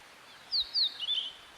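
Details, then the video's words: Wild niltava singing actively: a brief phrase of three high, thin whistles, the first two sliding downward, the last a wavering level note, against light background hiss. "burung niltava gacor liar"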